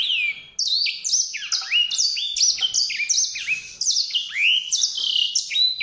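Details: A white-rumped seedeater sings a continuous, bright, twittering warble. Quick slurred whistles repeatedly rise and fall in pitch, with a short gap just after the start.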